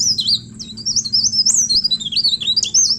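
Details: A leaf warbler, Cikrak daun, sings to lure other birds: quick very high wavering whistled notes, rising and falling in a running chatter, with a faint low hum in the background.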